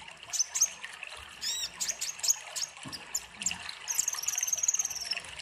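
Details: Kolibri ninja sunbird in full song, used as a tutor track for young birds: scattered high sharp chirps and a brief fluttering trill, ending in a thin sustained high twitter, with a soft water trickle behind.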